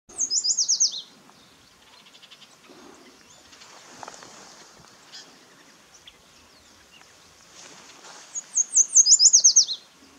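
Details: Barn swallow at Malheur National Wildlife Refuge, Oregon: a quick burst of thin, high twittering chips at the start, a quiet stretch, then a second rapid chittering burst near the end.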